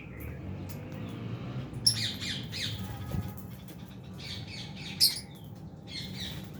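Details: Albino and Fisher's lovebirds giving harsh, scattered squawks, with louder bursts near two and five seconds over a steady low rumble of background noise.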